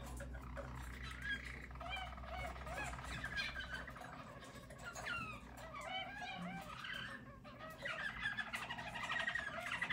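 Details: Yellow Harz German Roller canaries, a singing team recorded in 2022, deliver a continuous low rolling song of dense, purring trills and gliding tours, with a steady low hum beneath.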